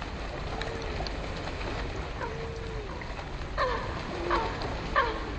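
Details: Eurasian coots fighting at Hackney Marshes, London, give short, abrupt calls and a few low, arching notes over heavy splashing and watery noise.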